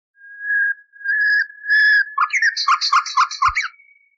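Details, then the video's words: Nightingale song for training canaries, from an old recording with noise removed: three long whistled notes that swell in loudness, then a rapid repeated chattering trill of about six notes. "Bülbül Sesi ve Ötüşü"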